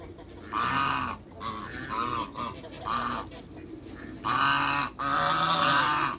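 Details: Backyard pair of African geese honking in long, loud nasal blasts, some short and clipped, others sustained, coming in an uneven run of calls.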